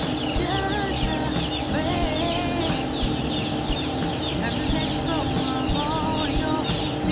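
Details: Farm broiler chickens coming up to their keeper, unafraid; steady overlapping high peeps and chirps fill the background, layered on a low humming drone.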